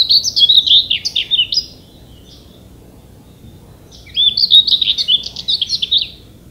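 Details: Danish common whitethroat, a summer bird of scrub and bushes, giving two brisk scratchy warbling phrases of about one and a half seconds each, separated by roughly two and a half seconds of quiet.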